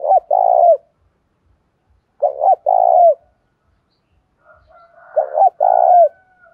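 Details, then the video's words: Đồng pha-style spotted dove song, meant to provoke wild-caught doves and set caged birds singing. Three phrases about two seconds apart, each a quick double note plus a long burred coo. Faint chirps precede the last phrase. "Chim cu gáy ĐỒNG PHA thúc đấu rút bổi"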